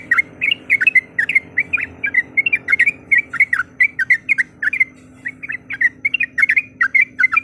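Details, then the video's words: A female yellow-vented bulbul calls to a male to rouse a rival, giving a long stream of short bubbly chattering notes in quick succession, with a faint hum behind. "Suara Panggilan Trucuk Gacor Mencari Lawan Auto Emosi"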